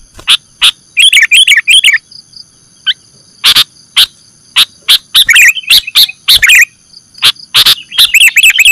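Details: Sooty-headed bulbul lure sound used to attract birds for catching: sharp clicking chips mixed with runs of warbled, chattering notes, irregularly spaced, over a constant thin high tone.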